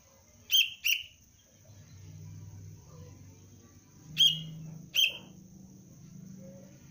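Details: Juvenile sooty-headed bulbul of the Cengkram line, undergoing basic lure training, gives a fast double chirp, then after about three seconds two more sharp chirps spaced nearly a second apart, with a soft hum between.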